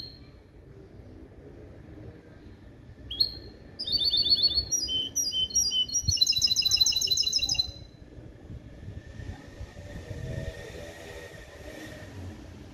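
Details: Goldfinch × canary hybrid, from a male European goldfinch and female canary, trained to sing limpio goldfinch phrases: a rising call, then fast clusters of high, bright chirps for about four seconds, followed by faint background hiss.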